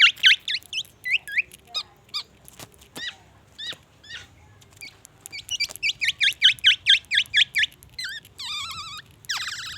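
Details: Black-naped oriole singing vigorously with copied white-rumped shama material: rapid series of high, upswept whistled notes repeated in quick bursts, a pause with scattered ticks, then a loud rattling run and rising buzzy phrases.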